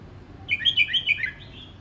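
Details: Red-whiskered bulbul in voice practice, a single bright phrase of rapid liquid whistles tumbling up and down, ending in a fading trailing note.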